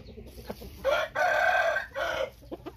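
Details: White-tailed Thai rooster giving a full crow: a short rising opening, a long hoarse middle note and a falling final part, lasting about one and a half seconds, with faint clucks before and after.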